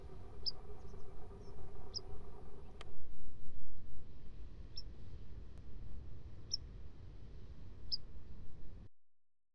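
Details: Grey phalarope, an Arctic seabird driven onto the French Atlantic coast by autumn storms while migrating south, floating on the water: brief, sharp, high single notes about every one to two seconds, over heavy low rumbling wind.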